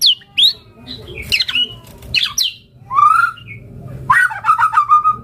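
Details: White-rumped shama (murai batu) song, used as a lure and training recording to get shamas to respond. It gives a mix of squawky notes, sliding whistles and a closing rattling trill, with low background hum.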